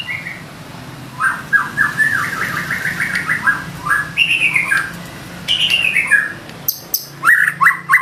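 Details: White-rumped shama singing 'isian' fill-in material in 'gacor' mode: a long series of quick repeated whistled notes, then higher slurred phrases and sharp chips, against a steady low hum.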